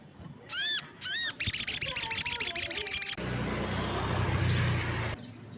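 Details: Crested jay calling actively as other birds join in: two short arched, whining notes, then a fast, even rattle of about a dozen sharp high pulses, followed by a broad hiss of noise.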